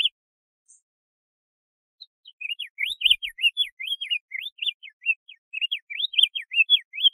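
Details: Diademed tanager singing a long, fast run of whistled notes, each a quick rising or falling sweep, tumbling along steadily after a short quiet opening with a couple of soft notes.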